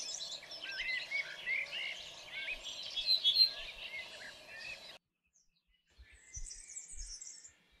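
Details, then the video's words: Canary singing: dense run of warbled, twittering notes for about five seconds over a steady low hum, then a pause and a brief high chirping burst with faint thumps. "Canary Singing: The Most Beautiful Sounds of Nature"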